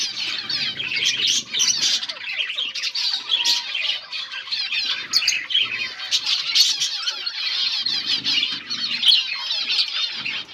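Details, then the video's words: Flock of finches feeding on green food, August 17, 2024, filling the air with thick, overlapping high chirps and buzzy twitters, loudening in surges, with faint rustling underneath. "Beautiful finches eating green food birds chirping sounds"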